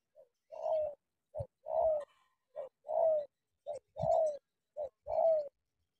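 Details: Spotted dove from Cà Mau, Vietnam, cooing in a steady pattern: a short soft note followed by a longer, hoarse, slightly falling coo, repeated about every second in a quiet setting.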